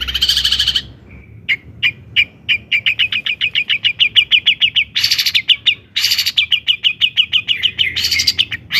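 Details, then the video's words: Long-tailed shrike song, used to stir other shrikes into eager singing: bursts of harsh, grating noise separate long runs of sharp, quick chips repeated about three times per second, the chips quickening and falling between the harsh blasts. "kicau cendet gacor JITU di cari BUAT PANCINGAN CENDET AGAR EMOSI DAN GACOR"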